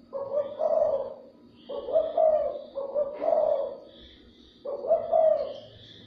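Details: Spotted dove luring and stimulating other doves with four low, hollow coo phrases about every one to one and a half seconds, each split into two quick notes, over faint background chirping of small birds.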